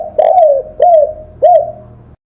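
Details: Spotted dove, called tekukur, cooing on a master track for training songbirds: three smooth, gently arched coos, the first longest, each followed by a faint trailing hum.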